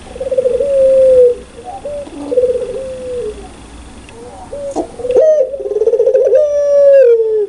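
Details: Spotted dove, known locally as puter pelung, giving loud, clear cooing: long sustained coos in phrases, with a rough, noisy background and a burst of higher whistling sounds near the end.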